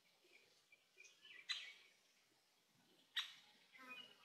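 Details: Azure-winged magpie, a resident bird of Korea, filmed while raising young: two loud, harsh, broadband calls about 1.7 seconds apart, with softer chirps and short whistled notes between them.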